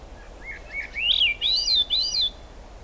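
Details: Swainson's thrush singing in rain, Squamish Estuary, July 6, 2022; one spiralling phrase of about five whistled notes that climb steadily in pitch, ending in bright looping upper notes, with steady rain noise beneath.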